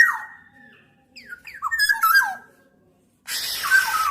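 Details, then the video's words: Fluty whistles of a black-naped oriole: a falling clear note, a quick series of slurred up-and-down whistles, then a noisier, harsher burst closing the sequence. "Tiếng chim Vàng anh Gáy đen"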